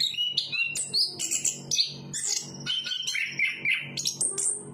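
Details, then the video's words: Chestnut-capped thrush, known locally as anis kembang, a Southeast Asian forest songbird, sings a fast run of high whistled notes and slurred phrases, some dropping from high to mid pitch, over a steady low hum. "Burung Anis kembang berkicau"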